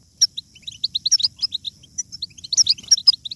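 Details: European goldfinch in batbata style, a stimulating chatter for goldfinches: a clear, fast string of short bright chirps, rising in density toward the end, with occasional harsh buzzy accents.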